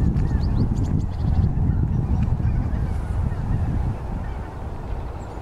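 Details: Greater white-fronted geese on the Old Lake at Tata in the morning, the flock getting ready to fly out to the feeding area; scattered high honks over a heavy low rumble of many birds.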